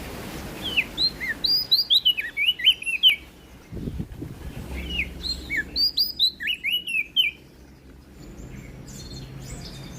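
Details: Prinia singing loudly, from West Nusa Tenggara: two fast bursts of high, sliding whistled chirps and twittering notes, each burst lasting about two seconds, separated by a short pause with a low thump and faint background noise.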